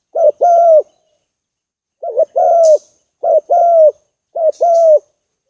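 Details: Spotted dove lure call of four paired coos spaced about a second apart, a short dipping note then a sustained low hoot each time, with brief high chirps from another bird.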